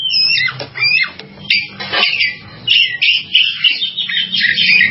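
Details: Oriental magpie-robin delivering dense, scratchy, chattering warbles mixed with brighter whistles, almost continuous, over a low background hum.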